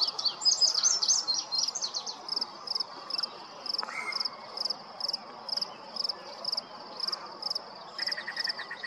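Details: Yellow-breasted chat opening with a rapid jumble of high chattering notes, then a single clear whistle and later a quick run of repeated mid-pitched notes, over a constant rhythmic high buzzing from insects.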